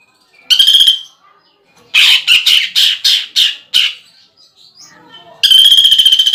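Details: Greater green leafbird singing with woodpecker-imitation filling for bird contests: a brief buzzy trill, then about seven evenly spaced harsh chack notes, then another fast rattling trill after a pause.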